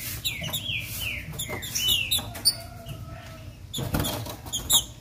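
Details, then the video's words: Female green-winged saltator song meant to make a male start singing: several bright descending slurred notes in the first half, then a fainter thin whistle and broad clattering noise bursts. "ESSA FÊMEA VAI FAZER SEU TRINCA FERRO CANTAR MUITO ESQUENTAR SEU TRINCA FERRO AGORA"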